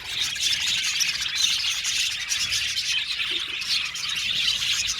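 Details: Colony of about 70 pairs of budgerigars in an aviary, a dense, unbroken wall of high chattering chirps and warbles from many birds at once, steady in loudness throughout.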